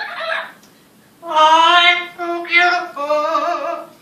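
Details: Pet talking parrot at a business in Green Bay, Wisconsin, where it chats with customers. A brief raspy note, a pause, then drawn-out, strongly tonal sing-song vocal phrases rising and falling, like mimicked human singing.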